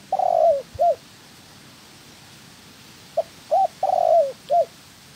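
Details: Decoy-training spotted dove for trapping: the tail of one phrase, then after a pause a full one: short note, quick coo, extended purring coo that falls, and a brief closing coo.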